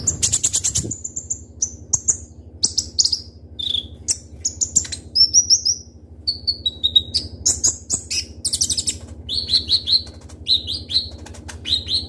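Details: Kolibri Ninja (Konin) sunbird singing vigorously with a full imitation-filled song of sharp shots, used as a training lure: rapid high thin chirps and short whistled notes, some rising or falling, delivered in quick bursts over a faint steady low hum.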